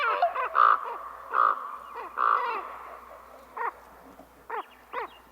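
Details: Common Raven calls played back for comparison with crows: several loud, harsh, harmonic croaks in the first two and a half seconds, then a series of short, clipped, downward-bending notes at a slower, irregular pace.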